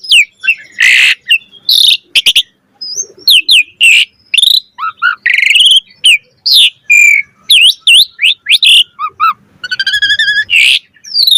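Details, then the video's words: Asian pied starling, a caged bird in full varied chattering song: loud whistled slurs, harsh rasping bursts and rapid trilled notes follow one another in quick, dense succession with almost no pauses. "Jalak Suren Gacor Mompa Full Variasi Ocehan"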